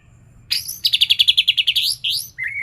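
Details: White-rumped shama singing with learned imitations, or isian, of katem and cak janggot: a sudden burst leads into a fast rattling trill of about a dozen even notes, then rising upslurs and a lower, flat closing whistle.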